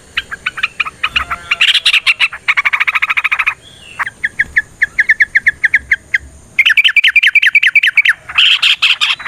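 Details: Yellow-vented bulbul giving a long fighting song meant to provoke rivals to sing: rolling chattered trills, then a slow series of single bubbly notes repeated roughly twice a second, before renewed rapid chatter.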